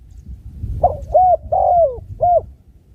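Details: Spotted dove giving one cooing phrase of four soft, low notes: a short lead-in, two longer drawn-out coos that dip at the end, then a final rounded coo, with light background hum.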